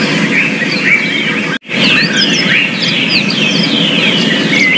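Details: Yellow-fronted canary in the wild, in its natural habitat. A lively twittering song of quick, slurred, high warbled notes runs almost without pause. It breaks off abruptly for an instant, then resumes just as busily over a low steady background rumble.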